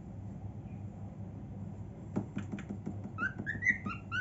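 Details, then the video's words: Female cockatiel kept as a pet, singing cheerfully in her room; after some quiet and soft clicks, short rising whistled notes begin and repeat quickly toward the end. "Cockatiel Singing so Happily"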